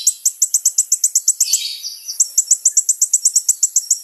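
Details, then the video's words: Sunbird (kolibri ninja) singing vigorously, recording meant to lure other sunbirds: a steady string of high, sharp notes about five per second, briefly broken by a short warbled flourish midway. "SUARA BURUNG KOLIBRI NINJA GACOR"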